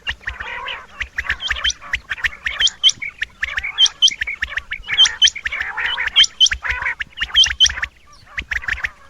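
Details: Rain Quail males calling: crisp high paired notes repeated roughly every second, set against dense rasping chatter and a steady background of other birds.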